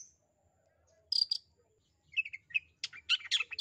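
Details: Long-tailed shrike calling to coax a shy, silent shrike to sing; a thin whistle and a sharp high double chip, then a quick tumbling burst of mixed scratchy and whistled notes.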